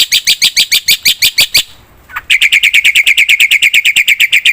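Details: Loud, persistent black-winged myna used to draw out other birds: a rapid train of harsh, buzzy notes, a short gap with a faint rising note, then the chatter resumes even faster.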